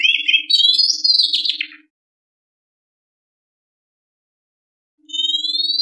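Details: White-rumped shama song meant as a lure to stimulate birds: a rising run of rapid warbled whistles ends abruptly, three seconds of silence follow, then a clear upward-sliding whistle begins. A faint steady hum accompanies each burst.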